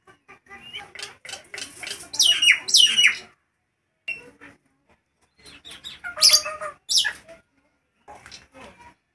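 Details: Loud Nias hill myna in hot weather, recorded as a singing lure, gives two bursts of harsh, scratchy squawks and shrill descending screeches, separated by near silence, with a few softer chips at the end.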